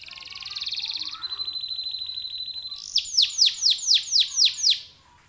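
A canary sings a fast buzzy trill, then a high steady rattling note, then a run of about eight rich downward-sweeping whistles.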